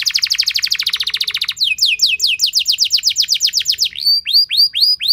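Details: Long, loud canary song played as a lure so other canaries respond: a dense fast rattle, followed by a steady run of descending whistled slurs and several upward-hooked notes at the end.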